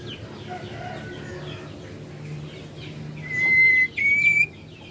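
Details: White-rumped shama; female call; female calling to stimulate males to sing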